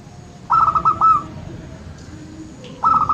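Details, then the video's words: Local zebra dove, played to prompt reluctant birds into singing: a quick burst of several high, ringing cooing notes, a pause, then a fresh phrase beginning, with a low background rumble. "SUARA BURUNG PERKUTUT LOKAL - Atasi perkutut malas bunyi"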